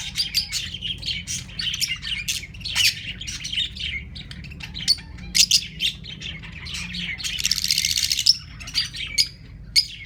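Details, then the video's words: Two pairs of newly acquired captive lovebirds, calling when brought out into the open: sharp, high chirps in irregular bursts, then a harsh, noisy squawking burst near the end, with ring-necked parakeets also present in the background. "Lovebirds Singing and Making Noises"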